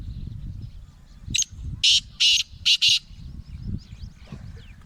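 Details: Kala teetar, a Gangas Laka cross black francolin described as extra large, giving a loud rasping call: a short click, then four harsh grating bursts in quick rhythm. Faint low background noise is heard.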